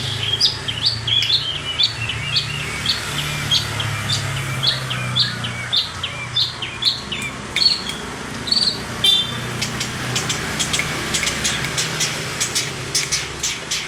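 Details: Long-tailed shrike from Priangan, West Java, singing vigorously: a fast run of high, varied chirping and whistled notes for about nine seconds, then a harsh series of rapid scratchy clicks and rattles, with low rumbling behind.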